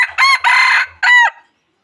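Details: Wild chicken crowing used to lure birds for trapping: a loud, harsh crow in three bursts, two quick opening notes and a longer ringing final phrase, with no other sound around it.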